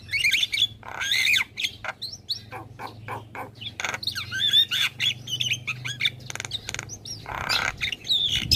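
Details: Nonstop chatter of a Javan myna: a busy jumble of squawky, scratchy notes and short whistled squeaks, delivered in quick irregular bursts over a low background hum.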